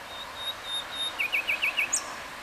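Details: Common nightingale at Atatürk Arboretum in Istanbul, Turkey, opening with several long, thin, pure whistles, then a quick run of five identical upslurred notes and a final sharp high note, over a noisy outdoor background.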